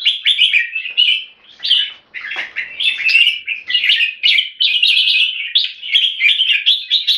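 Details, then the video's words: Singapore-kept red-whiskered bulbul giving clear keke notes and song, a dense run of chirpy, rolling warbled phrases with one short break and a faint knock early on. "นกหัวจุก JAMBUL - SOLID CLEAR KEKE & SINGING"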